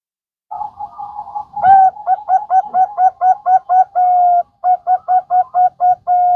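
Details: Bangkok zebra dove lure song for prompting other birds to sing: a soft warbling coo, then a rapid run of about ten short clipped notes, a long held coo, another quick run of clipped notes and a closing long note.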